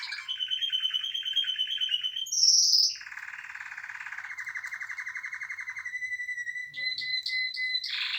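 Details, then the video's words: Canary song: a series of long rolling trills at different pitches, a brief high sweeping phrase, a lower buzzy trill lasting about three seconds, then short repeated high notes. "خواندن کناری مست/قناری با صدای عالی/KANARYA sesi"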